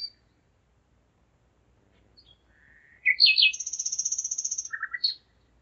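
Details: Common nightingale in Zeitz, Germany, singing at 01:55 on the night of 5 May 2017: a soft rising whistle, then a loud, fast, very high rattling trill of about twenty notes, ending in a lower buzzy burst.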